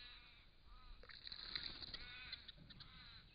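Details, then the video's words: A wild Crested Shrike-tit at a drinking spot in regional Victoria, Australia, caught by camera trap, gives a soft, chuckling chatter of husky, slightly nasal notes at an uneven pace, three or four a second, over faint hiss. "Crested Shrike-tit drinking and calling"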